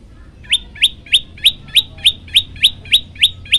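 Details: Tailorbird singing tirelessly in a varied training recording: a rapid regular series of about eleven loud, sharp upward-flicking chirps, roughly three each second, with low hum beneath.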